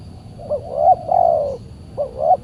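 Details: Wild spotted dove, described as extremely aggressive and fierce, calling back at a decoy during a Saturday trapping session; low mellow coos, a short rising note then a long drawn, slightly falling coo, repeated twice with steady background hum.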